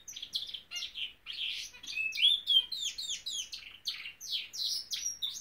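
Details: Norwich canary, a pet bird, giving a lively song of high buzzy chirps and bright whistled slurs in quick succession.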